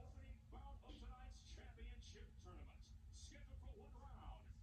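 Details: A 2-year-old female Congo grey parrot, practising her words and sounds, chatters in speech-like bursts, mimicking words and short whistled sounds over a steady low indoor hum.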